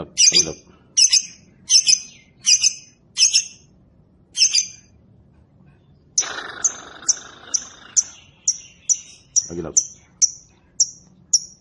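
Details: Lovebird used as a lure to get other lovebirds to answer and sing long ngekek; sharp high chirps repeat about once a second, then a faster run of clipped, downward-slurred chirps with a brief rough noise near the end.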